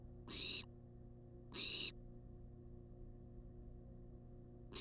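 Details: A wild barn owl begs for food inside a research nest box, giving rasping, noisy hiss-screeches with uneven gaps of one to two seconds, backed by a constant low hum.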